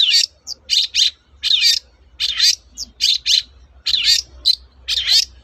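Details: Long-tailed shrike singing the 'toet-toet' style used to prompt silent shrikes to sing again: harsh, high, scratchy double and triple notes repeated steadily over about five seconds, with short clipped chips between them.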